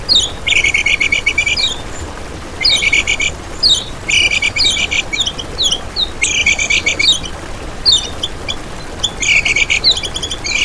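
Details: Kecial kuning, or lemon-bellied white-eye, master recording meant to lure and trap birds and to train competition singers: five high, dense chattering phrases, each opened by quick sweeping notes, about two seconds apart.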